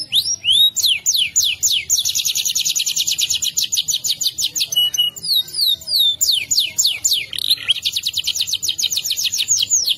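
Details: Canary rolling song used as a master for training: swept whistles give way to a long steady buzzy trill, more descending whistled notes, then another fast even trill, loud and unbroken throughout.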